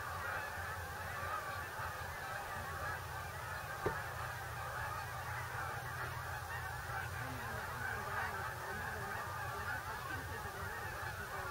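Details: A large flock of migrating geese honks steadily as it arrives at Bombay Hook National Wildlife Refuge, a bird area in Delaware, USA. Massed overlapping honks form an unbroken wall of sound, and one sharp knock cuts through midway.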